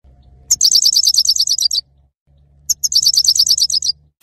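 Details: Male saira goldfinch singing: two fast, high trilled bursts of evenly repeated sharp notes, each lasting about a second and a quarter, separated by a short pause, over a faint low hum.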